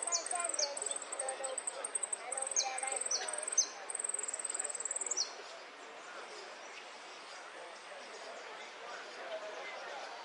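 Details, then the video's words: Jilguero or saffron finch (Sicalis flaveola) song in the golpes, pitadas and prio style: high trilled chips and repeated falling whistles for about five seconds, then the singer stops and only a steady background hiss remains. "JILGUERO AUDIO "ATILA" ( golpes, pitadas y prio)"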